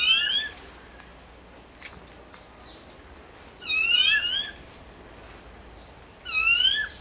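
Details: Clay-colored thrush, the national bird of Costa Rica: three loud bursts of squeaky, slurred, harmonic-rich notes rising and falling, about three seconds apart, with faint clicks and a steady thin high tone in between.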